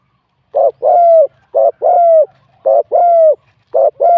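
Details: Spotted dove, a wild bird with a medium-to-large voice, competing in song. Steady paired coos repeat roughly every second, each a brief burst followed by a longer sustained note that falls slightly at its end.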